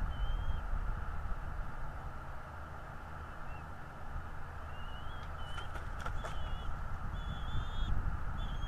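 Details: Bald eagle on its nest in northeast Florida, nest-camera recording from 11 February 2022 around 9:55 am: several high, piping whistles, some slurred upward, bunched late in the clip, with brief clicks and a constant deep background hum.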